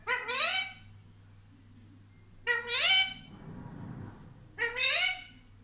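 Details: Indian ringneck parakeet that talks 'mummy papa' repeats a rising, nasal, speech-like note three times about two seconds apart, with a soft rustle between calls and a steady hum.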